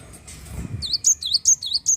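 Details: Lively wingko Java sparrow song intended to stimulate other birds to sing: after a low rustle, six crisp, high chirps follow in quick, regular succession.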